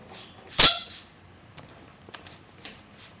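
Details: Rose-breasted cockatoos, kept as pets, calling while playfully taking a bath indoors; one short, harsh, broadband screech bursts out, followed by faint clicks and light splashing.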